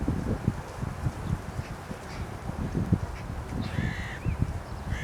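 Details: Carrion crow on a post in Aranoltza, Zamudio, Bizkaia, 2020: two hoarse caws near the end, half a second apart in spacing, partly masked by heavy low thumping and rumbling noise throughout.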